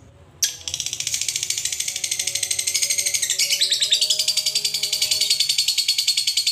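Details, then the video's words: Lovebird giving a long ngekek chatter, used to provoke other lovebirds into calling: a dense, fast, buzzy high rattle that starts abruptly and runs on without a break, with faint steady tones beneath. "suara lovebird ngekek panjang PINTAR BIKIN EMOSI LABET LAIN"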